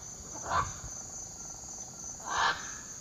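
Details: Great green macaw in Costa Rica gives two loud, harsh, raspy squawks about two seconds apart, over a steady high insect drone.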